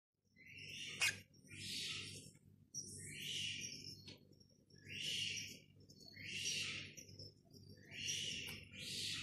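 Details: Boat-billed heron chicks at Prague Zoo, one a day old and one four days old, give harsh, hissing high bursts about every second and a half during a routine check, over a steady low mechanical hum.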